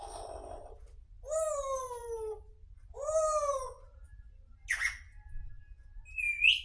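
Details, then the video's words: Grey parrot talking in a sweet voice: a soft breathy sound, two long arching meow-like calls, a sharp squawk, then a brief high whistled note at the end. "grey parrot talking"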